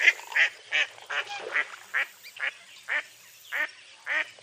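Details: Loud, rapid quacking by a mottled duck, eastern North American waterfowl: broad nasal notes about every half second, somewhat irregular in spacing and strength.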